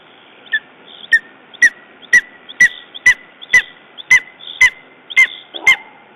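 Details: Lesser spotted eagle at its nest in Estonia on 14 June 2011, after a raven attack: sharp, clipped yelping notes repeated about twice per second in an even series, with a faint steady hum underneath.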